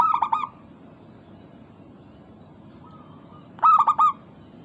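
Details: Zebra dove, a local Indonesian perkutut, singing to provoke other doves into answering: a short burst of three or four rapid cooing notes at the start, then a faint note and a second quick cooing burst near the end.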